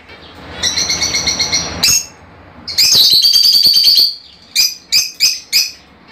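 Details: Fischer's lovebirds, kept birds, sounds meant to encourage pairing and mating: a run of shrill high chirps, then a dense ringing trill near two seconds long, followed by five sharp separate squeaks in quick succession.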